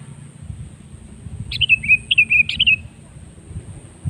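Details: Sooty-headed bulbul song meant to get other birds singing: a short burst of rich, gurgling whistled notes in three quick groups, over a faint high steady tone and low background noise.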